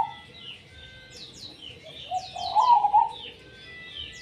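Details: Singing zebra dove (perkutut), tumpang sari: one warm, burbling coo phrase in the middle, a fainter note at the start, set against constant high twittering and sharp chirps of other small birds.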